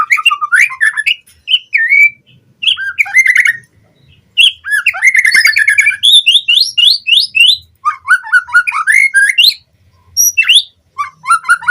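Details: Captive-bird training lure of White-rumped shama song: loud, varied phrases mixing upslurred whistles, squawks and fast chattering trills, delivered in bursts with brief pauses, ending on clear rising whistled notes.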